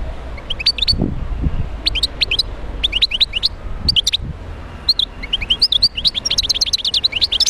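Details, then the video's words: Wild European goldfinch in Médéa singing a fast, bright twitter of sharp high chirps and liquid rising notes in short bursts, growing denser and more continuous toward the end, with occasional low wind thumps. "تغريد حسون خلوي(المدية)"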